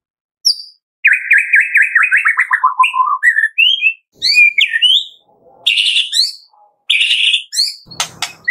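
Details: White-rumped shama singing in the morning to stimulate captive birds: a long wavering trill sliding steadily downward, then varied high whistled phrases and a final harsh rattle.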